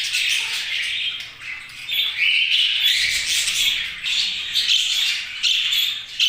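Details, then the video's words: Pet budgies chirping together, with bright warbling phrases, a clear rising whistle and grating squawks layered in a lively stream. "Budgies' Chirping Sounds"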